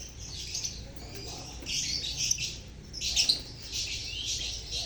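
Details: Colony of lovebirds (Agapornis), a lure recording meant to coax silent birds into singing: continuous busy high chirping in waves, peaking in loud squeaky bursts around two and three seconds.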